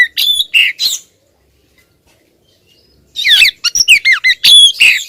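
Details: A female Oriental magpie-robin keeps calling at a male: a quick run of harsh chattering notes, a silent gap of about two seconds, then a rapid series of looping, squeaky whistles.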